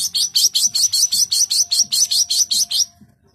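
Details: Long-tailed shrike delivering a dense song phrase: about fourteen loud, scratchy high notes repeated evenly and rapidly, stopping abruptly near the end.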